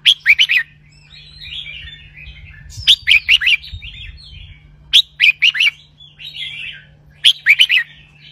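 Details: Red-whiskered bulbul in a cage delivering 'double-hundred' style song: clusters of quick, ringing whistles repeated roughly every two seconds, linked by quieter chattering warbles, over a faint constant hum.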